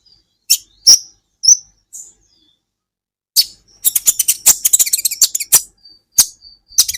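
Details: Sunbird, kolibri ninja, in a training recording for songbirds: a few thin, high whistled notes and slurs, a silent gap, then a quick burst of sharp, scratchy chirps and squeaks.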